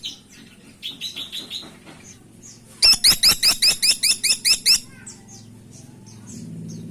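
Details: Freckle-breasted woodpecker lure call: a softer run of high squeaky notes first, then a loud burst of about eleven sharp downslurred notes in under two seconds, followed by faint scattered chips.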